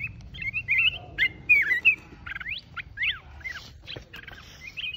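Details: Red-whiskered bulbul of the mountain form singing solo: a lively run of short, liquid whistled notes, some rising and some sweeping up and down, given in bursts every fraction of a second over a low background rumble.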